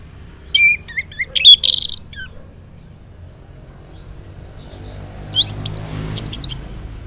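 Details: Morning song of an Orange-headed thrush, in 'ngeplong' style, used to coax silent males into answering: varied whistled phrases with a loud squeaky note, a quiet gap, then a run of short, high chips.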